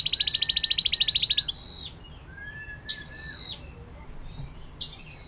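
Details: Canary in 'air mancuran' style, a tutor song for other songbirds: a fast ringing trill of about a dozen even pulses, then slurred whistles and short bright high phrases.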